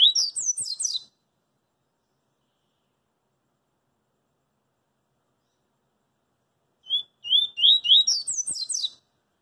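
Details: Double-collared seedeater singing in the street, a song style called coringa: two bursts of rapid, high, sweet twittering notes, one at the start and another about seven seconds later, with silence between.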